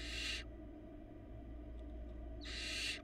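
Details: Barn owl nestling at a nest cam in Florida, 2022 season, now able to eat small pieces of food alone. Gives two harsh, broadband hissing screeches, one at the start and another near the end, with steady low hum between.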